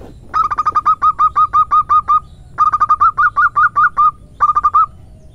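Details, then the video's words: Female local zebra dove (perkutut) singing in the irama manja style, used as a lure for other doves: three clear runs of short, even, hollow coos, eight to ten notes each, separated by brief pauses. "Perkutut BETINA Lokal irama MANJA"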